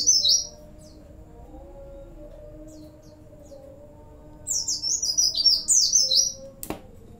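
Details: Singing Oriental white-eye, its song stuffed with Cililin, sambung bren and cigun phrases. A short twitter opens, a long quiet gap follows, then a rapid burst of high jumbled notes ends with a sharp click. Steady hum underneath.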